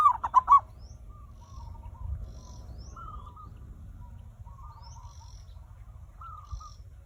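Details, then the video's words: Lure song of a zebra dove, meant to make other birds start singing: one bright rolling burst of coos at the start, then faint scattered soft coos and distant high notes over a low rumble. "perkutut raja pikat cocok untuk memancing burung cepat bunyi"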